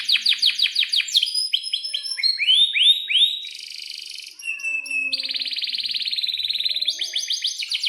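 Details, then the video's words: Caged canary in breeding condition, varied chirping song with long rolls: fast falling whistles, swooping arched notes, a grating buzz, then a long even rolling trill and quick repeated phrases. "kenari gacor panjang buat pancingan kenari paud belajar bunyi agar NYAUT"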